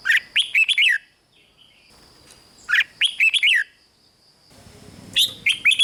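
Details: Song of a red-whiskered bulbul from Thailand, used to stir up caged birds: three bursts of bright, rolling, downward-slurred notes about two seconds apart, with a thin steady high hum throughout.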